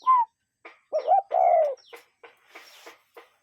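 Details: A wild cuckoo sounds one two-note call, the first note brief and the second long and falling. Single higher chirps of another bird and light clicks come before and after.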